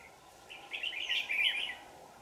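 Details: Red-whiskered bulbul of the 'Lưng tôm' type, a fierce bird fanning its tail, at a trapping setup on 4 January 2018, Dak Lak: one bubbly, warbled phrase rising and falling over about a second, with a steady background hum.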